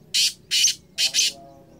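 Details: Black francolin giving a harsh, grating call in four loud rasping bursts, the last two run close together, over a faint low hum.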